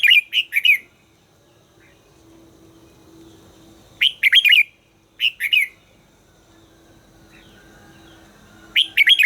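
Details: Red-whiskered bulbul trained for its voice, repeating short bursts of three or four clear, lively warbled notes several seconds apart over a low steady hum.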